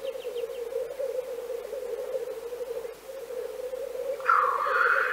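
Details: In Central Russia, a Black Grouse gives a steady, low bubbling cooing that runs almost unbroken, with faint high chirps at the start and a louder harsh rasp near the end.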